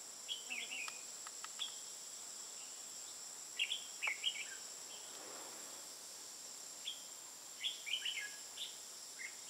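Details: Red-whiskered bulbul, recorded 21 June 2018 in Tây Ninh, likely a male used as a decoy in a trap, gives short, bright chirpy phrases in three bursts a few seconds apart, over a steady high insect whine.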